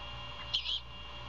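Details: Great horned owl at a nest about 80 ft up in an old Bald Eagle nest by a Georgia coastal salt marsh, mother feeding owlet early morning, 21 Feb 2022: a single brief, high, raspy hissing screech, about a quarter second, over a low hum.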